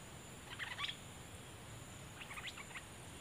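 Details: Decoy cream-vented bulbul recorded 11 July 2021: two brief bursts of sharp chirping notes, one early and one near the end, separated by quiet hiss.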